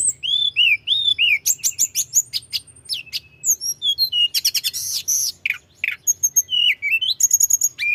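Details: Mountain flowerpecker delivering a nonstop rolling song to stir rival birds: fast, shrill chirps and sweeping whistled slurs with brief rattling bursts, packed tightly for eight seconds with a soft low hum beneath.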